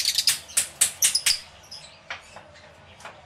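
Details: Lovebirds calling in an aviary: a quick series of sharp high shrieking chirps in the first second and a half, then sparser fainter squeaks.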